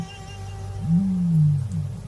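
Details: In the oldest desert's eastern edge at the height of the hot, windy dry season, a male ostrich guarding a harem of hens gives one deep, hollow territorial boom under a second long, low and droning, over a steady musical hum.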